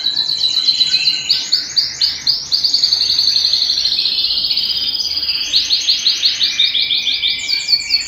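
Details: Canary singing at home: loud, rapid high trills of repeated pulsed notes, rolling into one another with smooth shifts in pitch.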